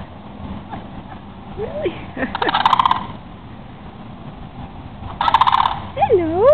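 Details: A pair of sandhill cranes at Holiday Park, Palm Bay, Florida, dancing and unafraid of people, gives two loud, rolling, trumpeting rattles about three seconds apart, with softer sliding tones between.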